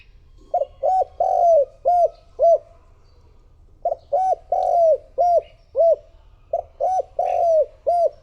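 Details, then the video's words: Spotted dove decoy calling to lure wild doves: three deep, hollow cooing phrases of five or six notes each, with a longer drawn-out slurred coo near the middle, separated by short pauses, in a quiet setting. "Cu gáy mồi thúc gù gọi bổi / Suara Burung Tekukur Gacor Terbaru 2026 Paling Ampuh Untuk Pancingan"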